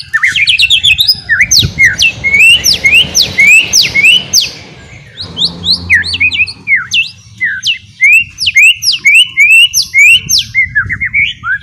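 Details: White-rumped shama song meant as a lure to turn a chattering bird into a full singer: rapid run of sharp rising and falling whistled notes, about two per second, with a short pause midway, then more bright sweeping whistles.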